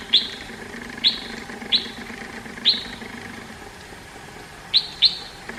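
A red-whiskered bulbul gives six sharp, high, chirping notes at uneven intervals, often about a second apart, over a faint low background hum.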